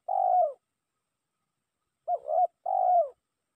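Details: Spotted dove lure call meant to draw a rival: three low, husky cooing phrases, the first alone, then a pair about half a second apart, each with a slightly falling tone, in silence.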